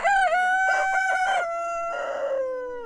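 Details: Close, loud rooster crow in the morning: a sharp opening syllable, a pulsing middle section, then a long steady note sliding slightly downward at the end.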